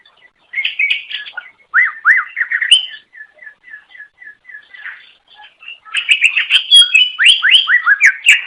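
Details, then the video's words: Greater green leafbird song meant to lure others of the species: whistled slurs, then a steady string of about ten short repeated notes, followed by a loud dense tumble of rapid descending whistles. "Suara Kicau Burung Cucak Ijo Durasi Panjang Untuk Memikat"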